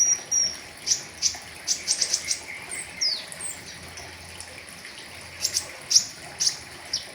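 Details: Flowerpecker 'riwikan' song with full fillers, recorded for tutoring caged birds: clusters of very high, piercing chirps, a few swept whistles, pauses between bursts, and faint low hum beneath.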